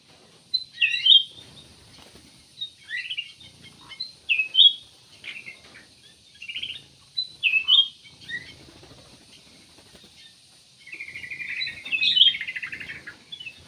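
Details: Chirpy song of a cucak emas (kutilang emas): clipped whistled notes repeated every second or so, ending in a longer, fuller warbled phrase, with a faint steady high hiss behind.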